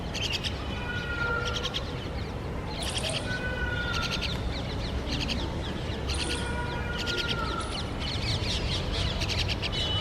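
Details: Myna parents feeding a grown-up chick that already searches and eats by itself, scolding it while feeding: harsh, buzzy squawks and chattering bursts in repeated clusters, clear whistled notes between, over steady low background noise.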